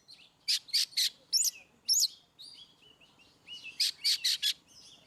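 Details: Oriental magpie-robin in ngeplong song style, used to prompt birds that rarely sing: loud bursts of harsh broadband notes in quick groups, separated by thin whistled rising and falling phrases.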